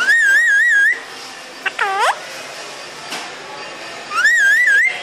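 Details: Parrot producing a loud, rapidly warbling whistle lasting about a second, a short harmonic voice-like call in the middle, and the same warbling whistle again at the end.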